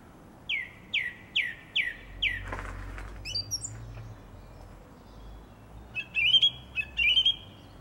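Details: Song thrush in a garden in April 2021 repeats a falling note five times, pauses amid a rustle, then adds scratchy high chirps and warbled phrases.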